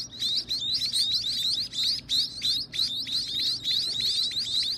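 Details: Hungry baby birds at feeding time, loud high squeaky upslurred chirps crowded into rapid overlapping bursts from more than one bird.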